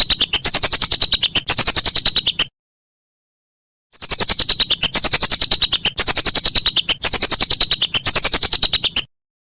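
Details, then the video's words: Whistling duck master recording for songbird training: two long bursts of quick, sharp whistled notes in even series, separated by a pause of about one and a half seconds. "Masteran Burung Belibis"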